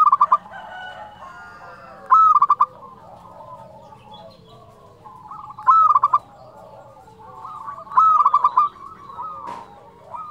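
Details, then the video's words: Zebra dove of a local Indonesian strain, singing in the flute-like style kept to provoke rival doves. Bright hooked coos break into staccato notes in bursts about every three seconds. Fainter doves call continuously underneath, with one sharp tap. "perkutut lokal gacor suara nyuling"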